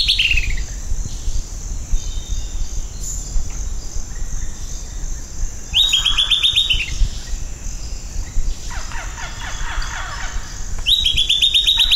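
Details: Silvered Antbird (Sclateria naevia) singing a rapid series of sharp, high notes in quick bursts, some falling in pitch, over a steady low rumble and faint insect hiss.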